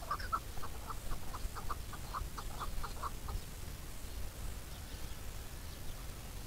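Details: Chukar uttering a string of evenly spaced clucking chuk notes for about three seconds, then falling silent, leaving only low rumble and faint background hiss.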